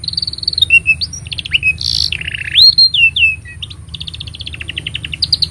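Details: Canary master song for teaching young canaries: varied phrases of steady trills, a harsh burst, rising and falling whistled slurs, then rapid repeated chips, with low constant background hum.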